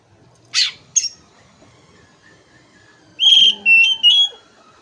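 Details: Oriental magpie-robin (kacer) song played as training material to get a stressed bird that has stopped singing to sing again: two short high bursts, a pause, then three loud clear whistled notes wavering around a steady pitch.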